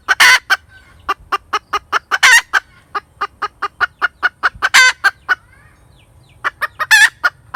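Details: Persistent cackle from a hen: fast, repeated clucks interleaved with several loud, harsh, drawn-out squawks, continuing after a brief lull.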